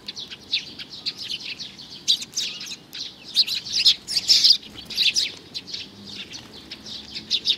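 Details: Juvenile sparrow recorded in June 2019: a steady stream of sharp, high chirps, growing louder and denser around the middle before easing into scattered single notes.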